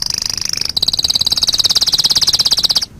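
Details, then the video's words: Canary song used as a master recording for training other songbirds: a fast rolling trill of high notes that breaks after a brief pause into a steadier, slightly lower rapid trill of pulsed notes, ending abruptly. "Masteran Suara Kenari"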